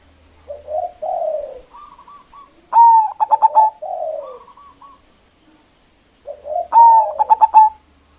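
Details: Local zebra dove calling loudly to lure and provoke rival doves: two phrases about six seconds apart, each starting with soft low coos that build into a loud run of rapid, bubbly, ringing hoots.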